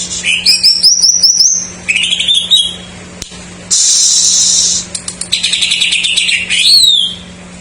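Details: Greater green leafbird singing jamtrok-style fill-ins to stimulate untrained or silent birds: a quick run of repeated high notes, a rising slur, a dense buzzy burst, then chattering and a descending whistle.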